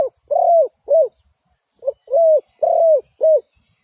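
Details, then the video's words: Spotted dove cooing in soft, hollow notes, each swelling and then dropping away. A short note leads into a longer arched coo, in two groups with a brief pause between them, over a quiet background. "Sound Of Spotted Dove is so good"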